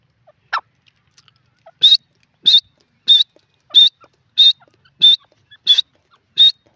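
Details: Grey francolin, known locally as teetar, in India: a brief lower squeak, then eight loud, clipped, high notes repeated evenly about every 0.6 seconds against near silence.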